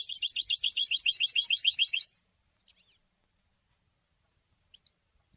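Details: Goldfinch song for education and training: one rapid, rattling, high trill of evenly repeated notes lasting about two seconds, followed by a few scattered soft chirps.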